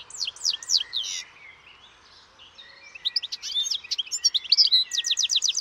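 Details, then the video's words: European goldfinch song: rapid trilled series of sharp descending notes, a brief quieter pause, then a bright liquid twittering run ending in fast repeated trills. "O canto do PINTASSILGO/GOLDFINCH SONG"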